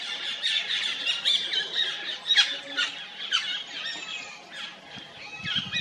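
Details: Stripe-throated yuhina perched on a tree in forest at Jabberkhet, Mussoorie, India; a continuous busy chorus of high, squeaky chirps and twittering notes, overlapping from several birds.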